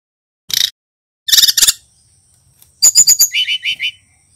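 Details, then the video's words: Young male Brown-chested jungle flycatcher from Bali, described as endemic to the island, learning its song: a short burst of dense high chirps, then a quick triple note, then a rapid run of about eight notes, the last ones pitched lower; quiet background. "Burung SRDC bali belajar bunyi - Suara TERAPI pancingan sikatan rimba dada coklat"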